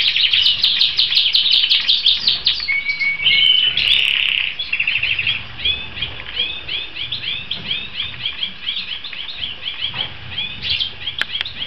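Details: European goldfinch of the Balkan subspecies balcanica in continuous fast song: liquid twittering trills, buzzy notes and short rattles, high and tumbling without pause, with faint ticks and rustling in the background.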